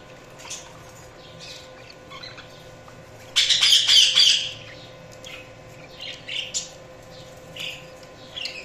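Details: Budgies chirping: scattered soft high tweets, then a loud dense burst of rapid chirps lasting about a second, followed by more spaced, bright single notes against a quiet humming background.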